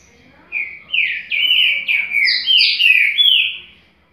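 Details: Green-winged saltator singing in the Paraguai song style: a rich phrase of about eight loud, slurred whistled notes, some rising and some falling, delivered in quick succession over three seconds before stopping.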